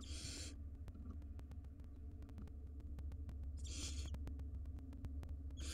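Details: Wild barn owl nestlings, five in a nest box, begging noisily to their parents: harsh broadband hissing bursts about half a second long, spaced several seconds apart, with scattered sharp clicks over a steady low rumble.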